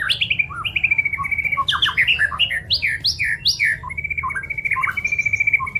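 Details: White-rumped shama singing for songbird training, alternating short slurred whistles and chunky notes with long even trills held on one pitch, rhythmic and lively.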